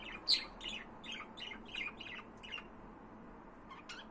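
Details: Budgerigar chatter: a rapid string of short, raspy chirps and squeaky warbles, with one sharp loud squawk early on, then softer twittering that pauses before a final chirp.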